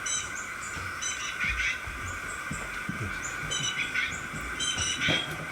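Young Black-capped Chickadees begging with thin, very high, short notes in quick little clusters, over a steady background hum and low rumble.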